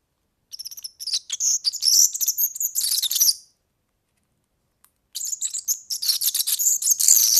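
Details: European serin song used for tutoring young birds: long, hurried strings of high, wiry, crackling notes in two bursts of about three seconds each, separated by silence.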